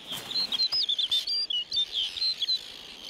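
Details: A male Snow Bunting breeding in summer on the shore of an icy glacial lagoon sings loudly to proclaim his territory and mate. It is a fast, sweet, unbroken run of high warbled and twittering notes, with faint wind behind.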